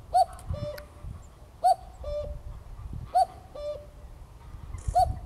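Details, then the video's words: A common cuckoo calling at close range at RSPB Greylake, Somerset, on 7 May 2024 gives a soft two-note 'cuck-oo', the second note lower, four times about every 1.5 seconds over low wind rumble. "calling Cuckoo"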